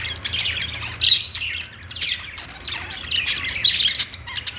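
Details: Singing budgies on a perch: short bursts of raspy chatter and high chirps come in clumps separated by brief lulls, with a faint low hum running underneath.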